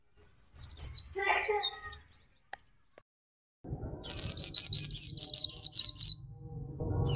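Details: Tutor song of a black-capped white-eye for training songbirds: a fast twittering phrase, a pause, then a steady string of about a dozen sharp, rising-and-falling whistled chirps over soft background hiss.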